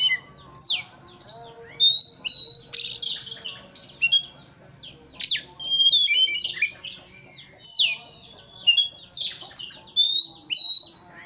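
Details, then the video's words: Song of an Oriental magpie-robin, meant to goad a rival into agitated, persistent singing: a dense, varied run of clear whistles, sweeping slurs and rasping bursts, repeated roughly every second, over a faint low hum. "pancingan kacer emosi supaya lawan cepat ngotot/ emosi"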